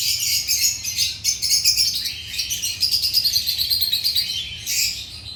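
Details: Agapornis lovebirds chirping in a steady stream of high, rapid, pulsed twitters, strongly repeated notes rising and falling across a few seconds with short gaps.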